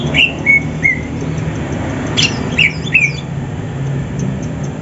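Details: Greater green leafbirds from Banyuwangi and Sumatra, contest birds in morning training before a gantangan songbird competition, singing to seek a rival. Short clear whistled notes slide downward, then a burst of sharp squeaky chirps, over a low background hum.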